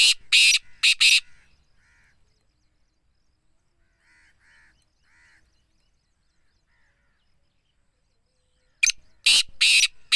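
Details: Black francolin (Francolinus francolinus) calling in the morning: harsh, grating notes in a quick four-note burst, repeated after a long pause, with faint soft chirps in between.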